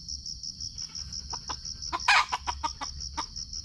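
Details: Red junglefowl during a trapping session in Sumatra, recorded on a GoPro: short, sharp clucks repeated in a loose series, one loud harsh burst near the middle, over a steady pulsing high cricket drone.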